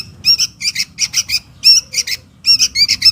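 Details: Young sooty-headed bulbul begging for its mother, recorded as a lure call: loud, grating squawks with bright harmonics, given in clusters of two or three separated by brief pauses.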